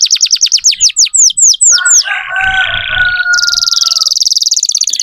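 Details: Vigorously singing canary used as a lure to tutor young canaries. Rapid series of downward-sweeping chirps gives way to a buzzy held tone with a low whistle, then a fast, high, rattling trill.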